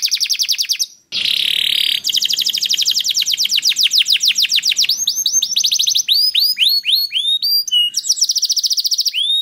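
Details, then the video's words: Canary song aimed at getting other canaries to sing: a short harsh burst, then long rapid rolling trills of repeated notes, followed by upswept whistled notes. "Sekali Putar Kenari Lain Langsung Nyaut Bunyi Gacor || Voice of Canary"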